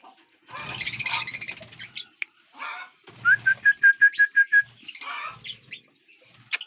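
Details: Lovebirds in a large aviary, eating and flying freely: bursts of harsh, buzzy chatter, then a run of about eight short whistled notes on one even pitch, then more scratchy chirps.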